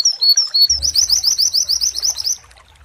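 A white-eye sings high, thin slurred whistles, then a fast run of sharp repeated notes about six per second, over a low background rumble.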